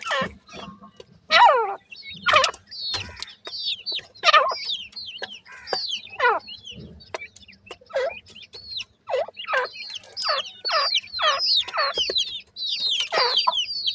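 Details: Several grey francolin chicks give a busy stream of descending, slurred chirps, rapid and irregular. Some notes are loud and harsh, others thin and high, with brief pauses and a faint steady hum underneath.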